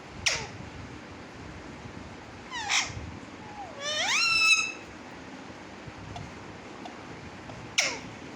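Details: Pet parrot indoors calling a brief phrase: a sharp falling squawk, a quick stacked chirp, then a long rising, harmonic, voice-like utterance, and another sharp squawk near the end.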